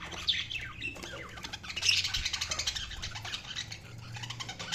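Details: Budgies squawking and chirping: continuous rasping, high chatter with pulsing harsh notes and brief sharper chirps near the start and middle.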